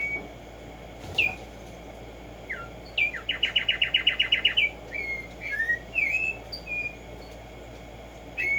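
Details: Black-striped sparrow singing outdoors, played to stimulate singing: short whistled notes lead into a quick run of about twelve repeated chipping notes, followed by several slurred whistles rising and falling.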